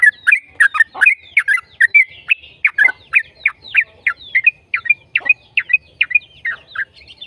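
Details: Yellow-vented bulbul in its long 'ropel' song, played to encourage other bulbuls to sing: an unbroken stream of fast, bubbly, downslurred notes mixed with brief whistles, clear against a quiet background.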